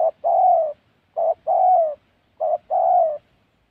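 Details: Three unhurried spotted dove phrases, each a short hoarse coo leading into a longer, slightly descending one, in wild Central Highlands forest of Gia Lai, Vietnam, where the bird is being trapped.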